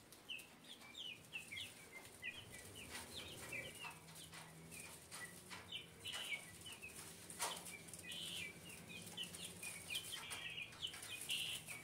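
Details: Guineafowl in 2024, several birds calling together: rapid overlapping clipped squeaky notes in loose bursts, with some scraping and rustling sounds and a faint low drone throughout.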